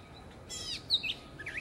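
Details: Gray catbird giving a brief burst of song: a few squeaky, sliding high notes, one downward-swept and one sharp chirp, over steady background hiss.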